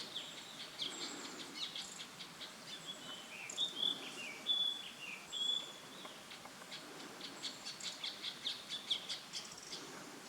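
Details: Ashy drongo recorded in Uttarakhand, India, in May 2016: a few clear high whistled notes in the middle, preceded and followed by faint scattered chirps over steady outdoor background noise.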